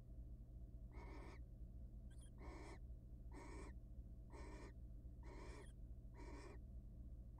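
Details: Six raspy, noisy screeches at about one-second spacing come from wild barn owls in a monitored nest box during pre-laying mating. A brief thin squeak slips between the first two, and a low drone runs throughout.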